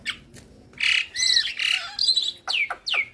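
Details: Javan myna on a master recording for training other mynas, its song full of fill phrases. Grating, squawky bursts alternate with a few sharp downward-slurred whistles.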